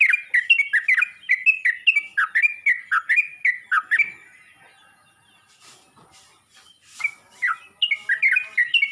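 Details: Yellow-vented bulbul calling out to other bulbuls: a quick run of bubbly, slurred chirps, about two a second, for four seconds, then a near-silent pause before a few more chirps resume.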